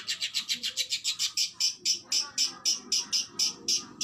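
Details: Kacer, the oriental magpie-robin, singing a training song in the rapid 'tembakan' style: high, sharp notes repeated evenly about four times a second throughout, growing slightly more spaced toward the end.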